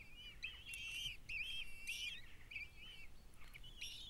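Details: Kestrel chicks being fed by the mother after the male delivered food, calling in quavering, slightly rasping whines repeated irregularly, with overlapping voices and faint low background rumble.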